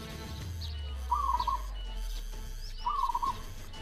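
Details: {'caption': 'Local Javanese zebra dove (perkutut) singing: two fast, bubbling, trilled coo phrases, each about half a second long and nearly two seconds apart, over a low droning background.'}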